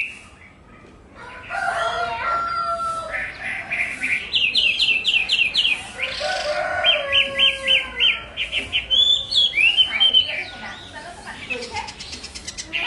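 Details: Chinese hwamei in full varied song: quiet start, then rich whistled phrases, fast bursts of repeated notes, looping upslurs and several rapid trills, loud and continuous for about ten seconds.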